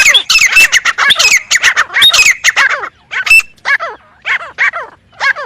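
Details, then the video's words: Grey francolin producing dense bursts of harsh, shrill notes, then a brief pause followed by separate falling calls repeated about every half second. "Best teetar sound effect crisp clear and realist"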